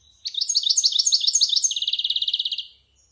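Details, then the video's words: European goldfinch, a bird of about one year, practising a varied song: quick run of twittering upslurred notes followed by a fast even trill of about twenty buzzy pulses, then silence. "Cante de Jilguero"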